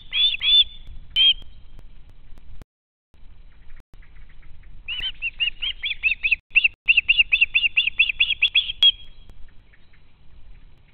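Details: Fledged osprey youngsters still hanging around the nest, begging from their parents: two brief shrill squeals, a pause, then a long rapid series of piercing, slightly down-slurred screams, about seven per second, before quiet returns.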